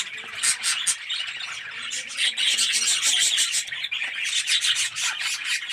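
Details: Aviary colony of red-eyed yellow budgerigars: rapid overlapping chirps and scratchy warbling from many birds, pulsing quickly and steadily with occasional harsher squawks.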